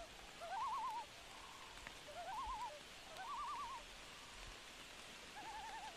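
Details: A loon repeats clear quavering tremolo phrases about every second and a half, each a wavering trill, rising slightly at the start, over soft rainfall at night.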